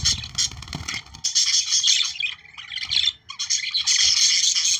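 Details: Budgerigars in lively chatter used to activate breeding: harsh squawks and fast twittering notes, at first mixed with low rumbling handling noise, then growing denser and louder toward the end.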